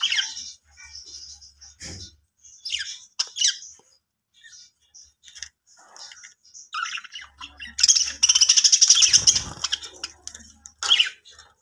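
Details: Budgerigars in a new home chatter in bright, scratchy chirps and warbles while playing, with a burst of wing flapping.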